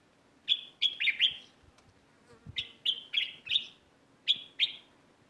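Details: Garden sparrows chirping in a neighbourhood garden, with short clusters of sharp, high chirps in quick pairs and triplets repeated across several seconds over a quiet background.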